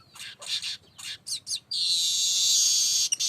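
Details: Baya weaver (manyar) song used to lure birds: five or six quick rasping chattered notes leading straight into an unbroken, loud, high sizzling wheeze.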